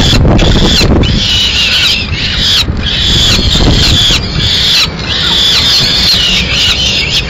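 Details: Female peregrine falcon arriving with pigeon remains for a late snack, Madrid, 30 April 2016; harsh, drawn-out wailing calls in long bursts with brief gaps, over steady low city rumble.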